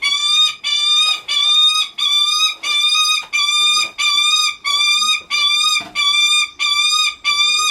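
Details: A Lanner falcon at a bird park, being affectionate with its favourite keeper, repeats harsh, slightly drawn-out whining notes, about three every two seconds, each steady in pitch, described as a cute voice.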